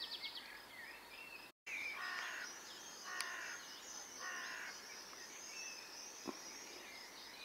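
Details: Young Long-eared Owls from a family nesting at the end of a garden in a village centre give hoarse, breathy hisses about once a second, calls that keep the family in touch and reassure them. An adult stands guard; steady hiss and thin chirps from other birds.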